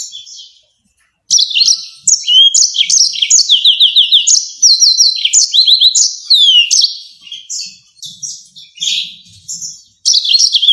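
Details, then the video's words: Yellow-fronted canary in a rolling song with sharp, shooting notes, kept for tutoring other songbirds: rapid high twittering phrases, rising and falling sweeps and trills in bursts, a brief pause near the start and a gap near the end. "YELLOW FRONTED CANARY‼️ NGEROL NEMBAK TAJAM"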